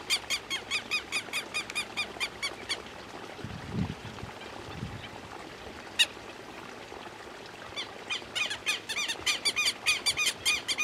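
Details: Harsh repeated calls of a Southern lapwing open and close the recording, separated by a quieter middle with a few low thumps and one sharp click.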